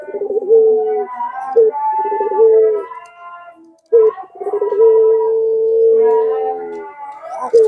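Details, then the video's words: Barbary dove of the pelung type, cooing as a lure for silent doves: trilled, bubbling openings followed by long level low notes, the last held for about two seconds, with a brief pause mid-clip. "Pancingan Suara PuterPaling Heboh Sejagat Raya"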